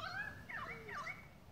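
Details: Pied currawong in regrowth forest of a water catchment, giving ringing tonal notes that swoop down and up over about a second, over steady background hum; it was seen attacking a wedge-tailed eagle.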